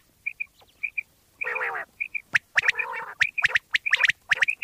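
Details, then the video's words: Common quail sounds from Pakistan, meant for hunting: paired soft whistles give way to long raspy squawks and bursts of sharp, rapid clicky notes. "Bater wali Awaz mp3 / sounds of Quail mp3 / Pakistani Bater wali Awaz mp3"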